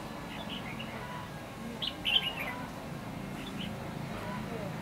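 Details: Red-whiskered bulbul on 8 December 2015 during bird trapping, giving brief clustered whistled notes in the middle, slurring between high and mid pitch, over a steady low background hiss.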